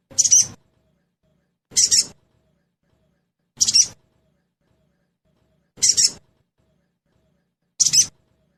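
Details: Crested jay trotol-type lure sound for prompting quick singing: five short, dry, hissing rasps repeated roughly every two seconds at steady loudness, with silence between.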